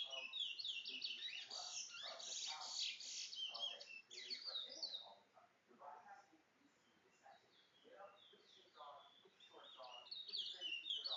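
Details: Towa towa bird, a bringle bird, giving a fast run of sharp, high twittering notes that pause for a few seconds and then resume, with some lower buzzy sounds underneath.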